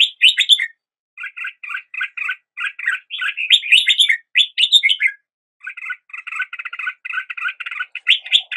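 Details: Red-whiskered bulbul song at daybreak: clear whistled flourishes alternating with long runs of fast, evenly repeated double chirps, quite clean with no other sounds.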